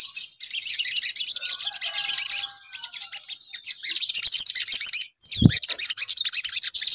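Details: Crimson sunbird lure recording: dense, very high-pitched rapid chattering trills in long bursts, pausing briefly near three and five seconds, with faint lower whistled notes mid-clip and a single low thump.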